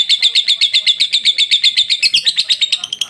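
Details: Rapid, regular ngekek trilling by a lovebird, about four bright chattering notes a second, each a quick high buzzy chirp, kept up steadily throughout.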